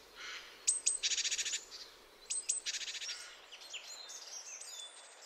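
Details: A nervous great tit gives high, thin whistles followed by fast, rhythmic bursts of crackling chatter like a machine-gun burst, repeated twice, with a few softer high notes trailing off.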